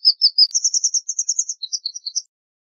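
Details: High twitter of a white wagtail: a rapid series of about fifteen short, bright notes, first level and then jumping higher before falling back in scattered chirps.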